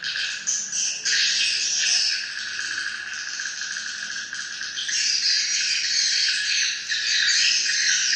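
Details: Swiftlets calling: a dense, continuous mass of high twittering chirps from many birds at once, swelling and fading in loudness.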